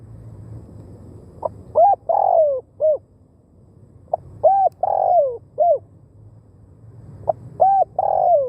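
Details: Cooing of a spotted dove kept as a decoy to call in wild birds for trapping in Thailand: three repeated phrases of soft, hollow notes, each with a drawn-out, downslurred centre note, spaced roughly three seconds apart.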